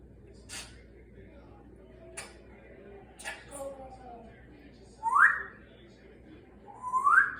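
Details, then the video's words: A 32-year-old rescued Congo African grey parrot, a male with scissor beak and clubbed feet, indoors; faint murmured sounds, then two loud rising whistles about two seconds apart, with television in the background. "African grey talking up a storm he’s the smartest talking bird!"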